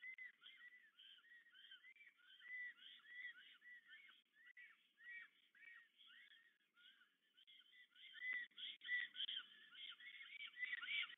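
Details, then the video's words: Pair of Black Storks at the nest near Łódź, Poland, during evening courtship on 8 April 2022. A long, dense run of hoarse whistled notes, overlapping and uneven in rhythm, with soft low rustling toward the end. "Bocian czarny RDLP i UŁ w Łodzi (PL) - Fermina & Florek, przywitanie i wieczorne amory"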